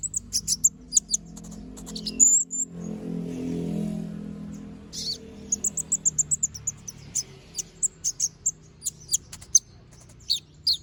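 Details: Little spiderhunter in full voice, producing shrill high chips and a brief rapid series of even tweets, then many spaced piercing notes; a low humming background swells early on.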